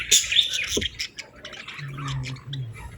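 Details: Baby budgerigars calling for food. Raspy, buzzy chirps rise and fall in quick bursts, loudest in the first second. A low steady hum sounds underneath near the end.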